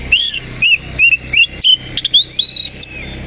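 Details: Koci-type Oriental magpie-robin displaying with its tail open in the morning light. It gives a lively string of short, looping whistles that rise and fall, ending in a fast jumble of high, ringing notes.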